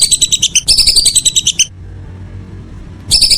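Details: Two quick runs of sharp whistled notes from a whistling duck in the evening, then a silence of over a second before a fresh run begins.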